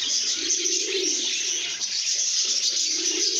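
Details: Lovebirds making happy sounds, singing and chirping: constant bright high chatter from a flock, with a soft low cooing band running beneath it.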